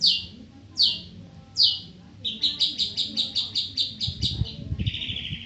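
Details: Long-tailed shrike: three harsh descending rasps, then a fast series of about a dozen sharp repeated chips, ending in a buzzy rattle, over low background noise.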